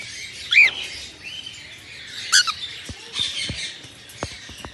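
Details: Albino red-eyed cockatiels greeting the morning: two sharp, rising, harmonic chirps about two seconds apart, followed by soft fluttering and several dry taps and clicks against a faint background hiss.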